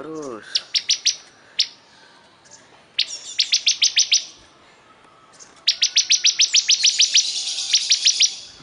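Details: Bar-winged prinia singing persistently. A few scattered sharp notes lead into short runs, and finally a long rattling series of some fifteen quick, high ticks.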